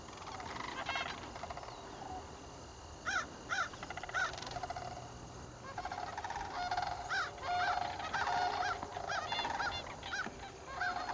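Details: Sandhill cranes in a troupe dancing together during fall southward migration, October 7, 2011; loud rolling, trumpeting calls come in bursts, several birds overlapping, with a steady background hum.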